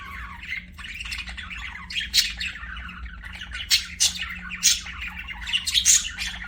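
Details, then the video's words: Budgies singing and chirping: a continuous scratchy warble mixed with sharp clicks and brief squawks, louder bursts around the middle and end, with a faint low electrical hum beneath. "BUDGIES SINGING AND CHIRPING"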